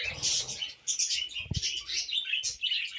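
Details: Pet budgies being tamed keep up a busy stream of twittering, buzzy chirps and little whistles, broken by short gaps, with a dull knock midway.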